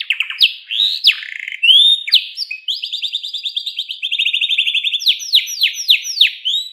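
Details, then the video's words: Canary song used to prompt other caged birds to sing: varied, high whistled phrases, sweeping notes, then a long fast buzzy trill and a run of repeated descending slurred notes, with no other sounds. "burung kenari bakal ikut bunyi dengar suaranya"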